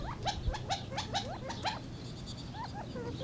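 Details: Gambel's quail giving a quick run of rising, slurred notes about twice a second, followed by softer scattered calls, with a constant low hum behind.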